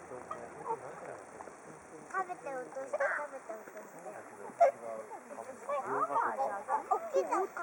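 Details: Flock of whooper swans waiting to be fed at Hakuchodai Sebatto on Onuma and Konuma: a dense chorus of bugling, honking calls, quieter at first and swelling into many overlapping voices, with one sharp knock midway.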